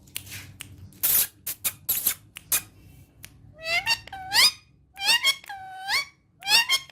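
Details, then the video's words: Female ringneck parrot (rose-ringed parakeet) kept as a talking pet, speaking Urdu and Hindi: clicks and squeaks first, then harmonic, speech-like phrases with bending pitch in bursts, indoors. "Mago Urdu Hindi Speaking Female Ringneck Talking Parrot"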